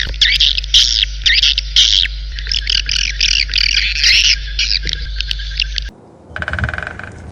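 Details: A swallow chatters in fast, high twittering bursts for about six seconds over a low steady hum, then a brief unrelated buzzy tone follows.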